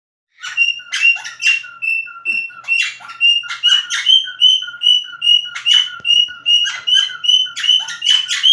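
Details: Cockatiel giving a run of short whistled chirps with bright harmonics, about two to three per second in a steady rhythm. The notes alternate between a higher and a lower pitch, and some notes are harsher and buzzier.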